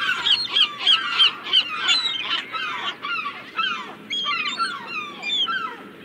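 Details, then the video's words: Seagulls calling: a run of loud, clear, yelping cries that slide downward, repeated about three times a second, then thinner, more scattered cries overlapping one another. "Relax with the sound of the seagulls"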